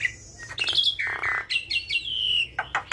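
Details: Javan myna, vocal bird whose full varied song serves as training material for other mynas. Mixed high whistles, a harsh buzzy rasp and sliding downward whistled notes, ending in sharp clicks.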